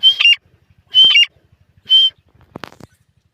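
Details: Grey francolin giving three loud, shrill whistled notes about one per second, each ending in a harsh rasp, followed by a short scratchy burst.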